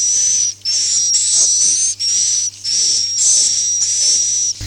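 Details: Akau ngaji swiftlet calls: extended buzzy, whistled chirps lasting about a second each with brief dips between, the tone wavering slightly, ending with a sudden cut and a low hum.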